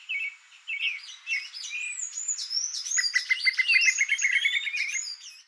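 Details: Free-living Brazilian creamy-bellied thrush with a dense, varied passage: warbled low phrases, then thin high whistled slurs over a rapid stuttering series of clicking notes, with overlapping chirps packing the last few seconds.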